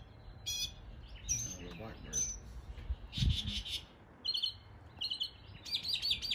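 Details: Mockingbird imitating local bird calls in East Tennessee, mixing harsh scratchy bursts and high trilled notes in varied short phrases, with a low voice-like sound briefly in the middle.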